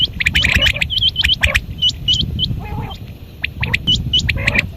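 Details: Quail calling at dawn give rapid, high, chirping notes that hook upward, about four a second and overlapping, with a harsher chatter midway over a low background rumble.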